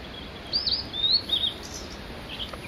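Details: Mount Migita, male Blue-and-white flycatcher: one lively phrase of high whistles, rising and falling slurs linked smoothly, followed by a short faint note; calm background hiss.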